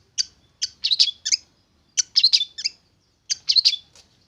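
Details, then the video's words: Tamed young long-tailed shrike from the forest, about three months in captivity, singing busy phrases of mixed scratchy and clicking notes in three bursts separated by pauses. "Burung Cendet Muda Hutan Sudah Jinak Dan Gacor"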